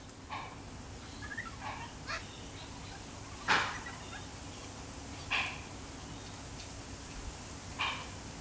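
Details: Yellow-tailed black cockatoos in a eucalyptus tree in urban Sydney, recorded from a backyard: a few short, harsh wailing calls spaced a second or two apart, the loudest near mid-clip, over a steady low background hum.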